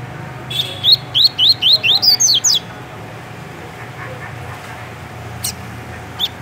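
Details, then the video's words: Double-collared seedeater, a captive Brazilian bird from Rio de Janeiro, delivering a tui-tui phrase of about nine rapid rising whistles, followed by quiet with two isolated short notes near the end. "Coleiro TUI TUI MUSTANG dando um show de cantoria"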